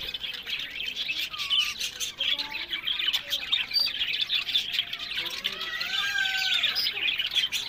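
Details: Several pet budgerigars in a breeding aviary keep up a constant high chatter, with a few longer whistled, gliding notes standing out near the end.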